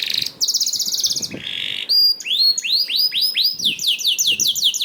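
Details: Canary song played to encourage other canaries to sing: an opening fast buzzy trill and a steady whirring note, then clear whistles followed by a rhythmic run of rising swept notes.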